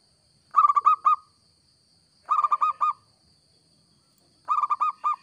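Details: Local zebra dove, singing actively, offered as a lure for trapping: three bursts of four to five rapid, clipped, ringing coo notes, roughly evenly spaced about two seconds apart, against a quiet background with a faint steady hum.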